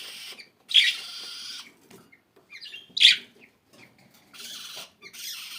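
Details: Budgerigar chirping: short bursts of buzzy, scratchy warbling with a couple of sharper squeaky notes, separated by brief pauses.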